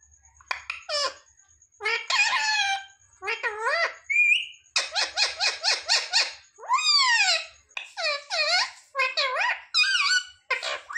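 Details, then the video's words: Parrot imitating human words like "mummy papa", delivering a rapid stream of nasal, speech-like syllables with swooping pitch, interspersed with a rising whistle and a few sharp squeaky notes. "Parrot talking mithu mithu 😱Mummy papa bolne wala mitthu"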